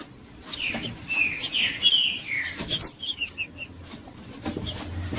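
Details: Green-winged saltator giving the Judas song, played to warm up a quiet caged bird: loud slurred whistles sliding downward in short phrases, with a steady thin high whine and scattered clicks behind.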